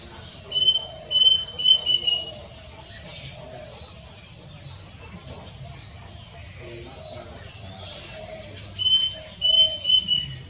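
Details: A plaintive cuckoo, recorded on 6 June 2022, gives two runs of four clear, high, mournful whistles several seconds apart over a steady hiss of insects.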